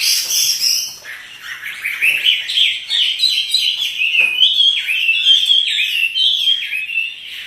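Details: A Chinese hwamei (wambi), a kept bird in full song while dancing, sings an unbroken, energetic stream of rich whistles and fast warbled phrases, rising and falling in pitch, with no other sounds.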